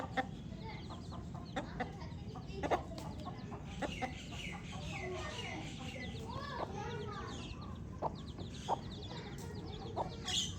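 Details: Chirping baby chicks, their thin high peeps overlapping in a busy cluster, with some lower curved notes, occasional sharp clicks and a constant low rumble underneath.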